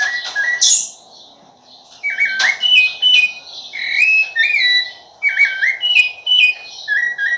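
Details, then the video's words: Rufous-bellied thrush delivering a long run of varied, melodious whistled phrases, some with quick up-and-down slurs, after a brief pause early on; one sharp click is heard and a low hum persists. "sabiá laranjeira"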